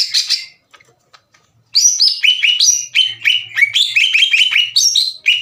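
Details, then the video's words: Challenging song of a captive greater green leafbird, hard and loud, aimed at provoking rival leafbirds. A brief opening burst, a quiet gap, then a steady stream of sharp, falling whistled notes. "CUCAK IJO GACOR NGEPLONG DAN TEMBAKAN KASAR NGAJAK IJO LAIN TARUNG"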